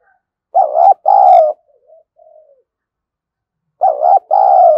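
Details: Decoy spotted dove luring wild doves, giving loud two-part coos, a short note then a longer rolling one, about three seconds apart, with a quiet murmured coo in between.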